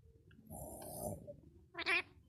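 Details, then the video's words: Pet female parrot that talks in Bangla, asked to show how it scares, gives a brief, nasal, cat-like meow near the end after a low murmur of background voices. "Smart parrot talking Bangla"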